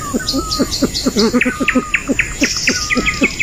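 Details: Pheasant in Southeast Asia giving a steady run of short, low, knocking notes, about four a second, while insects buzz and other birds whistle high above.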